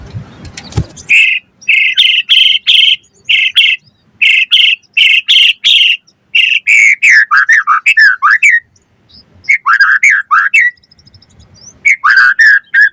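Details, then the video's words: White-rumped shama singing as a lure to provoke replies: repeated bursts of loud, rich whistled notes, shifting into falling, warbled phrases with short pauses between series. "Pancingan Murai Batu Auto Nyaut Langsung Ngplong - Masteran Suara Burung Murai Agar Gacor Full Isian"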